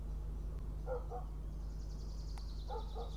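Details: Northern goshawk chick, a hawklet, at its nest in Riga, Latvia, arriving for breakfast at 06:14 on 23 June 2017, recorded by a live nest camera: two clusters of short, rough, paired notes with a faint thin whistle above and a steady low hum.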